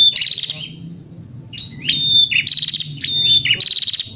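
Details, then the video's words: High, bright chirping from a female prinia summoning a male. A short burst is followed by a pause, then a busier run of sharp, ticking notes with thin whistled tails. "Prenjak Betina Memanggil Jantan Merangsang Bunyi"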